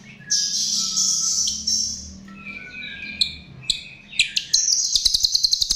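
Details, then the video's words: Chestnut-tailed starling song for luring birds: a shrill, buzzy warble, varied squeaky whistled notes and snaps, ending in a rapid series of dry ticks. "Ternyata ini Pancingan Jalak RIO RIO"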